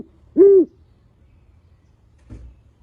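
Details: Barney, a captive great horned owl, gives one deep, mellow hoot, about a quarter second long and slightly arched in pitch, followed by a faint low rustle.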